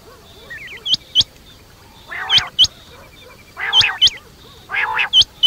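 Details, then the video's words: Quail call for the night: coarse rasping bursts arrive about every one and a half seconds, each followed by a pair of very high, sharp hooked whistles, with faint wavering notes between. "batair rat wali awaz"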